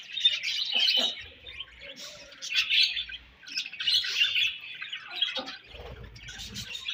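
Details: Budgerigars chirping in clear high twittering and warbling phrases that swell and fade in short bursts.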